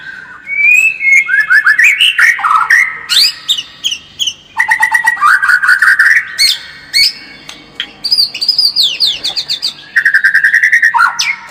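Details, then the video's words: White-rumped shama lure song meant to build a fighting spirit: rich, varied whistled phrases in bursts, mixing sweet slurred whistles, rapid rattling ticks and high trills, separated by short pauses. "SUARA PANCINGAN MURAI BATU AGAR MENTAL SEMAKIN FIGHTER"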